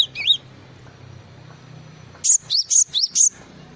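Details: Java sparrow's full 'isian' song, beginning with a wavering, warbled note, then after a pause a rhythmic series of five high, bright chirps over a steady low hum.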